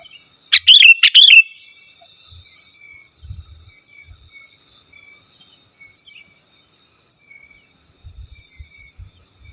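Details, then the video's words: Sooty-headed bulbul in lively song for calling rivals and wild forest birds or tutoring caged birds: a single quick phrase of bright, wavering whistled notes, followed by long near-silence with faint low thumps. "Suara Burung KUTILANG GACOR Asli Tanpa ISIAN Ampun Untuk Suara Panggilan dan Masteran"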